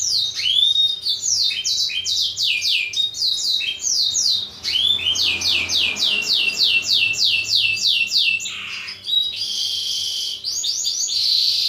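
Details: Black-throated canary singing as a model song for training canaries, long fast runs of repeated downward-sweeping notes, some harsher buzzy bursts near the end, loud and continuous.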